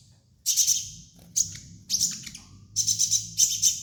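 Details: Sunbird known as kolibri ninja, master song for training: bursts of very high, rapid staccato chips, four or five per burst, separated by short silences, over a constant low hum.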